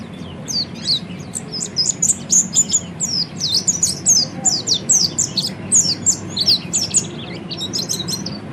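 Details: Oriental white-eye singing in the chattering 'ngeriwik' style, meant for training other birds: a rapid, continuous high-pitched twittering of thin slurred whistles and trills, over a low steady background hum.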